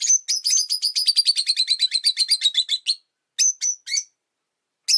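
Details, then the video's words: Rosy-faced lovebirds, five pets caged near a window, vocalizing in winter: a long rapid series of about twenty shrill chirps dropping slightly in pitch, followed by a few separated sharp notes. "冬とか関係なく良く鳴く子【Lovebird Chirping Sounds"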